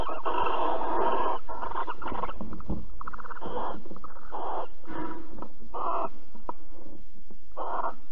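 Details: Barn owls mating and cuddling at Alphen on 22 April 2020 at 21:37: dense run of harsh, breathy hissing screeches, short bursts following one another almost without pause, with low rumbling noise beneath.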